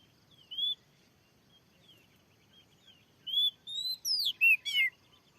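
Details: Wild oriental magpie-robin in a newly set-up field, reacting to a lure and described as very fierce: an isolated whistle, a pause, then a quick sequence of loud sliding whistles and a sharp chattering note.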